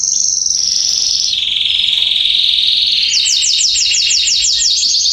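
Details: Garden canaries in song, September 2020: a long, steady, high buzzy trill steps down in pitch after a second and holds, then breaks into a fast series of about nine crisp repeated notes.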